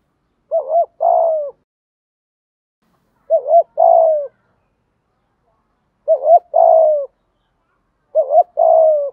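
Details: Spotted doves, male and female, cooing for training decoy birds: four low, mellow phrases about every two and a half seconds, each two short rising hoots then a longer falling coo, silence between.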